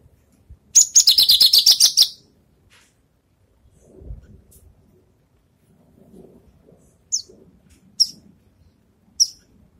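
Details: After moulting, a Javan bush lark practises song: one dense, rapid high trill lasting about a second, followed by three isolated sharp high notes spaced about a second apart, amid faint low room noises.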